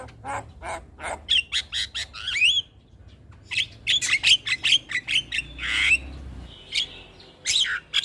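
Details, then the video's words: Lure song of the black-winged myna for stressed birds that have gone quiet: bursts of harsh chattering notes and short whistles in quick series, a brief pause, then more squawks and clicks, with a soft low hum beneath. "Terapi Burung Jalak Stres Macet Bunyi Rutin Putarkan Suara Pancingan Jalak Kebo"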